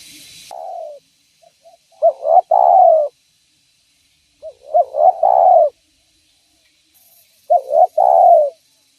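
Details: Spotted dove calling vigorously, a sound used to attract other doves: three phrases about three seconds apart, each made of quick hooked notes running into a loud drawn-out falling coo, with brief bursts of hiss.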